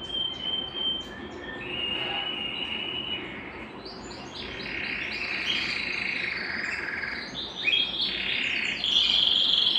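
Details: Song of a Belgian canary used to warm up singers and bring females into breeding condition, with drawn-out whistled tones, buzzy rolls and a fast trill near the end.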